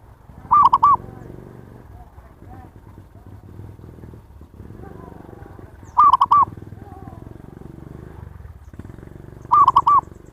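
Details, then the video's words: Zebra dove lure call over a steady low rumble, three phrases of three or four quick, clear cooing notes repeated every three to four seconds, with faint softer sounds in between. "SUARA PIKAT PERKUTUT นกพิราบชวา Chim Cu Vằn | memanggil burung liar"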